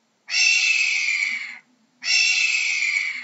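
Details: Hawk calling with two rasping, drawn-out screams, each about 1.3 seconds long and fading slightly at the end, separated by a short pause in otherwise quiet surroundings.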